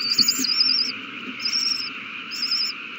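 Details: Nestling owls calling while being fed, March 27, 2020: three thin, high, quavering twitters, each about half a second long, separated by short gaps, against a constant background hum.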